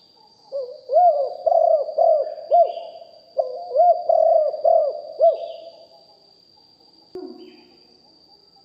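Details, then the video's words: Live recording of a deep-voiced spotted dove used to call wild doves, cooing in the kuk hoi and lew hoi styles: two quick runs of arched, soft coos, then quiet and a brief low rumble near the end. "นกเขาใหญ่คับ birds - Ep 1 เสียงต่อนกหลิ่วห้อย เสียงใหญ่#2 & 4กุกห้อยเสียงใหญ่ บันทึกเสียงสด"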